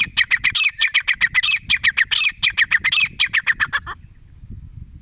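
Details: Grey francolin, called desi teetar, giving a rapid series of loud, harsh squawking notes, about twenty in four seconds, then stopping abruptly, with quiet background afterward.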